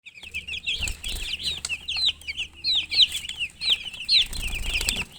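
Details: Chicks chirping: many high, short peeping notes, some rising and some falling, overlapping in busy chatter, with occasional soft thumps and low rumble below.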